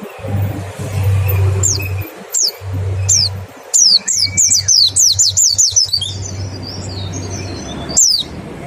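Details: Mountain white-eye 'nembak' song with 'ngecal' lure calls for stimulating song: scattered high downslurred notes, then a dense rapid series of sharp falling whistles, with a steady low hum behind.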